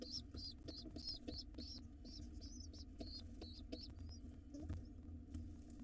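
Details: Pigeon nestlings, wild, begging during a late evening feeding before dark in a nest box: a string of high squeaky peeps for about four seconds that then thins out, with low hum and faint knocks.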